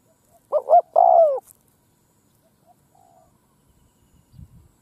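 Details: A spotted dove used as a decoy sings out over a field to lure wild birds. One phrase of two short hoots and a longer sliding coo is followed by near silence and a few faint low thumps.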